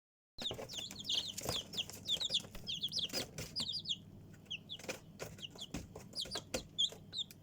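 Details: Chicken chicks giving a dense chorus of high, short peeps that slide downward, many overlapping in quick bursts, then thinning out, with sharp tapping and clicking sounds between them.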